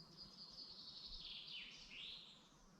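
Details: Birdsong in a Dublin Mountains forest, Ireland, on a morning: a sustained high whistled strand that slides down sharply and then rises again, set against constant low background noise.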